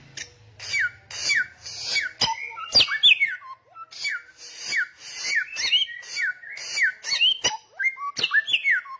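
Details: Insistent, loud samyong song: steady rhythm of falling whistled slurs with harsh breathy bursts, about two per second, mixed with occasional rising and looping whistles; a low hum underlies the first two seconds.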